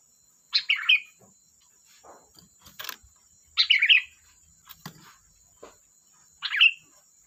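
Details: Sooty-headed bulbul (kutilang) singing loudly: three bright, bubbly warbled phrases roughly every three seconds, with soft clicks and chirps in the gaps and a steady high hiss in the background.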